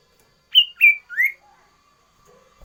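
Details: Varied song of a sooty-headed bulbul, loud and busy: three bright whistles, two high and level, the last rising and lower, then near silence with a faint hum.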